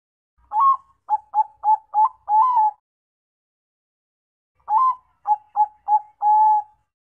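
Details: Bangkok-type perkutut, a zebra dove, delivering a pair of mid-pitched cooing phrases: an upslurred first note, a rapid run of four short coos, then one longer held coo, with a quiet pause between phrases and no background noise.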